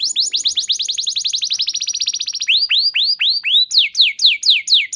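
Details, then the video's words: Canary 'nembak panjang' lure song for training: a long rapid trill of downward strokes, a set of five rising swoops, then evenly spaced falling whistled notes. "Terapi Burung Kenari Cepat Bunyi Gacor Dengan Suara Pancingan Kenari Gacor Nembak Panjang Ini"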